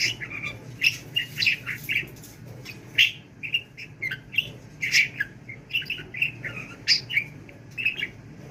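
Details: Budgerigar talking without taking a breath, scratchy warbled phrases and sharp chirps tumbling out about twice a second in an uneven rhythm.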